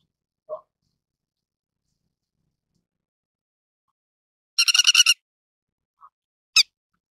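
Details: Grey-headed lapwing giving a rapid chattering burst of about seven harsh, ringing notes lasting half a second, followed after a pause by one sharp single note; otherwise near silence apart from a faint short sound at the start.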